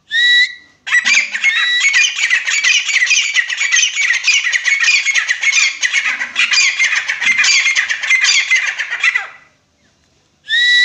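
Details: Grey francolin giving a long, dense, harsh chattering series of rapid overlapping notes for about eight seconds. Clear rising whistled notes open and close the sequence.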